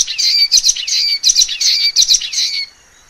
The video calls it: 橫斑梅花雀/Common Waxbill( Estrilda astrild)singing